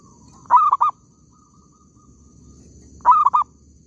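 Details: Zebra dove calling in an oil palm plantation during bird catching: two loud cooing phrases about 2.5 seconds apart, each a drawn-out note followed by two short stuttered notes, over quiet background murmur.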